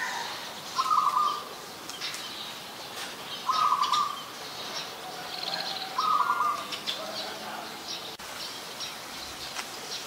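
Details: Chestnut-headed bee-eater, adult, recorded in Ubon Ratchathani, Thailand, on 13 February 2021, giving three brief burry trilled calls spaced roughly every two and a half seconds, steady in pitch, over soft ambient noise.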